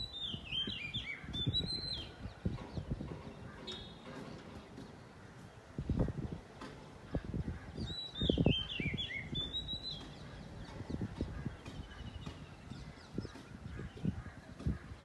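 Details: Morning song of an Oriental magpie-robin: two separate bursts of bright whistled notes, each about two seconds long and sliding downward in quick steps, spaced roughly eight seconds apart, over soft knocking and rustling noises.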